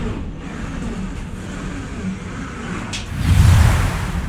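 A steady low rumble of passing road traffic, with a car whooshing by and growing louder toward the end; no animal sound.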